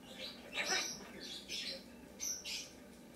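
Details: A pet lesser sulphur-crested cockatoo indoors gives short, hissy, high-pitched squawks, several in quick irregular succession, with a pet macaw's talking-like sounds faintly behind.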